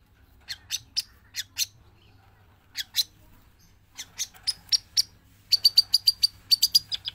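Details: Long-tailed shrike from Java, kept in a cage and also let out, singing on and on: short harsh scratchy bursts in uneven groups with gaps, ending in a fast string of bright, thin, buzzy notes.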